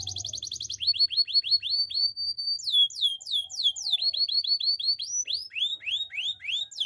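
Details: Clean canary training song for coaching canaries: a fast trill opens into repeated rising-falling whistled notes, then steep downward sweeps and more evenly spaced arched notes, about three per second.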